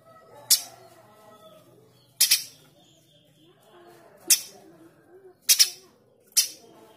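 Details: A lively male streaked spiderhunter used as a master bird to train other cage songbirds delivers coarse 'shot' calls: five loud, rasping, split bursts spaced one to two seconds apart, with soft low chatter beneath.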